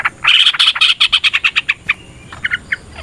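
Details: Yellow-vented bulbul (trucukan) singing in a fighting, provoking style; loud, harsh chattering notes repeated rapidly in a burst, then sparser short notes with a faint thin whistle.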